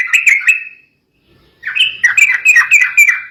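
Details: Emotional, agitated singing of a sooty-headed bulbul that provokes opponents to call; a short run of chirpy slurred notes, a pause, then a longer rapid warbling burst.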